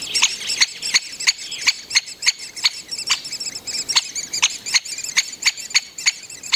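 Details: At a Great spotted woodpecker nest at Mønsted Kalkgruber, 30 May 2020, where a breeding pair feeds its young: sharp, high, clipped notes repeated steadily about three times a second over faint squeaky chatter.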